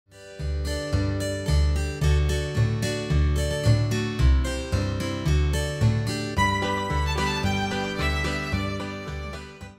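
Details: Plucked, harpsichord-like instrumental music plays throughout with a steady bass line and no animal sounds.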